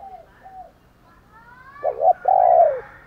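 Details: Spotted dove coos, given as fight-provoking and morning calling. Soft distant coos and faint higher rising whistles lead into a loud short double note and a long, even coo near the end.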